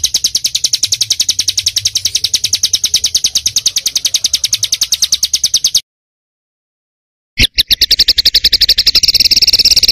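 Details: Small songbird singing dense 'tembakan' material in a training recording for pet birds. High, hard notes repeat at a fast steady pace for nearly six seconds, then break into a short silence, and a similar rapid, slightly brighter trill resumes.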